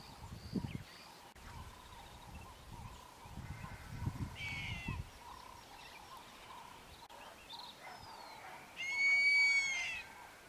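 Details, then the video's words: Wahlberg's eagle gives two drawn-out, clear whistles, a softer one first and a loud, ringing one at the end, over a steady insect drone and low wind rumbles. "Wahlberg's Eagle calling"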